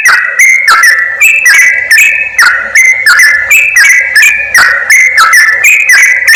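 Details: Continuous bright chatter of yellow-vented bulbuls, a lure sound for attracting wild birds to trappers: short whistled notes repeated several times a second, alternating pitch, punctuated by sharp clicks.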